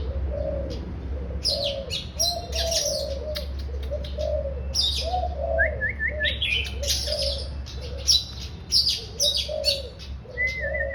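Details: Oriental magpie-robin delivering a lively run of high, scratchy chirps and trills, with a brief rising series of clear whistled notes midway and another at the end. Low cooing like a dove repeats throughout over a constant hum.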